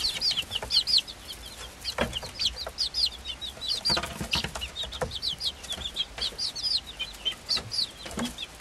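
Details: Five-week-old chicks of the Swedish Flower Hen breed, hatched 26.02.2022, plus an equally old Silkie chick, keep up a continuous chorus of high, falling peeps from several birds, overlapping throughout, punctuated by scratching and shuffling thumps.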